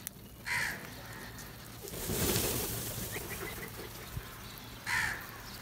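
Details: Crows eating and feeding together, calling loudly: two short, harsh caws about four seconds apart, with a broad rushing noise swelling and fading between them over a low steady background hum.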